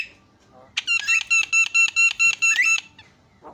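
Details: Asian pied starling singing to provoke other starlings: a short burst of eight or nine evenly spaced ringing, harmonic notes delivered rapidly, with a faint squeak near the end and quiet room background.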